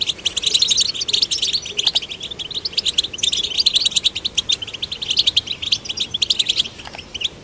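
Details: Male and female goldfinch chicks, being stimulated to sing, give a fast, continuous jumble of high, bright twitters and tinkling notes, with several birds chattering over one another.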